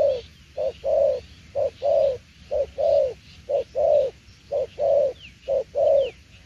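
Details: Spotted dove singing the 'đồng tiểu liên nước' coo: rounded, low short-long note pairs, very regular at about one per second, while thin, quick chirps from other birds sound faintly higher up.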